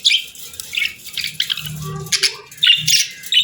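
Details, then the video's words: Happy pet budgies chirping: short bright chirps and warbled notes in bursts separated by brief pauses, with a faint low hum underneath. "Budgies Chirping Sounds"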